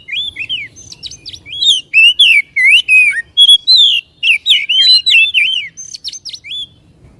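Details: Continuous white-rumped shama song, played to make a caged bird sing and open its tail: rapid loud whistled slurs rising and dipping, interleaved with sharp high chips, about three notes a second.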